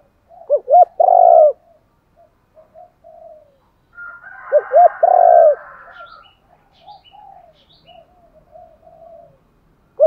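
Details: Spotted dove giving repeated coo phrases to lure other doves: two phrases about four seconds apart, each quick paired hoots then a long rolling coo, with soft cooing and a few faint chirps between.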